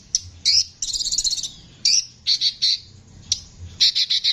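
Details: A harsh-voiced Konin, used as a master song for training songbirds, gives a high, harsh chattering song in short bursts, with a rapid scratchy trill early on and quick repeated rasping notes at the end.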